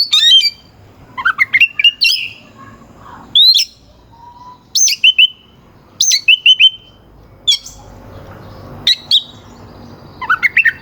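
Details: Oriental magpie-robin singing to make rival birds sing harder: separate short phrases of sharp high whistles and downslurred notes, spaced a second or more apart, against a quiet background.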